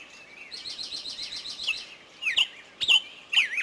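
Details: Birds singing in a forest: a fast trill of repeated high notes, then sharp whistled chirps sliding down, spaced about half a second apart, over a faint hiss.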